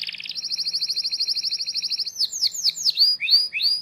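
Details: Canary song meant for training young canaries, with a long steady buzzy trill of rapid repeated notes for about two seconds, then loud swooping whistled phrases and chirps.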